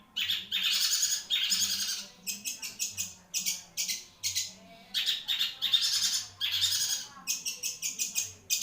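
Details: Long-tailed shrike songbird, reviewed as a bird of long-lasting song, delivers harsh, grating bursts alternating with quick clusters of clipped high notes, in loud, uneven phrases.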